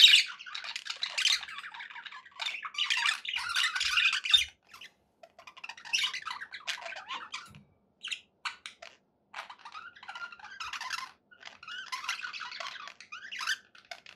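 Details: Happy pet budgerigars chattering in bursts: scratchy warbles and sharp squeaky chirps, broken by frequent short pauses, quieter toward the middle.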